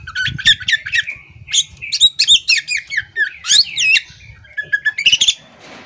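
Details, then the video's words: Chattering female Oriental magpie-robin (poci type) fanning its tail, delivering a dense stream of varied whistles, slurred upsweeps and short sharp notes, with brief pauses between bursts and a faint low hum behind. "Kacer betina ngobra buka ekor ini"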